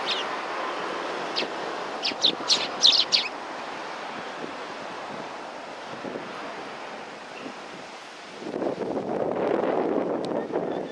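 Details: Several sparrows greeting visitors at a Tenmangu shrine on 18 September 2020; a quick burst of bright, high chirps clustered over about a second, followed by steady wind rumble and a louder gust of broadband noise.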